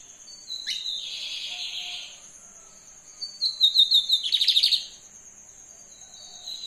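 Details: Song of a brown-plumaged lined seedeater: a sharp downward flick and a hissing buzz, a pause, then a loud pulsing trill of rapidly repeated notes ending abruptly. A steady high-pitched tone continues throughout.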